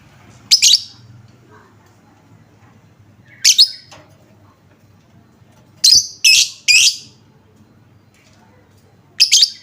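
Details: Lovebird lure sound meant to trigger other lovebirds into song: scattered harsh, high chirps, a single one, another after a gap, a fast triple, then one more, over a quiet low background hum.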